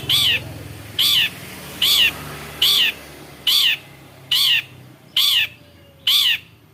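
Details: Long-tailed shrike (Lanius schach), locally cendet and reputed mimic of other birds' sounds, gives a steady series of eight short, rasping, nasal squawks, evenly spaced about every 0.8 seconds.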